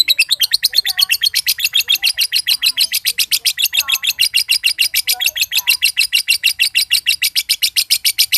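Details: Green standard-colour (josan) lovebird, a prized competition bird, in a long ngekek trill said to set other birds trilling: loud, harsh, rapid pulses repeated evenly throughout, with faint lower chirps behind.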